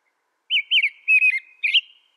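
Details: Caroling song of an American robin: a run of liquid whistled notes, two upslurred then a wavering pair, followed by a brighter final phrase, with no other sounds.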